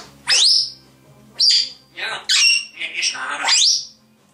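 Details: One of two grey parrots chattering and whistling gives a few loud, clear whistles, some rising sharply and some with a chattering, slightly harsh edge, spaced about a second apart.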